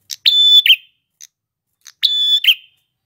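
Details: Male red-headed prinia singing, used to train other prinias: two loud phrases, each a sharp click, then a long steady high whistled note ending in a buzzy downslurred flourish, about 1.8 seconds apart, with faint ticks between.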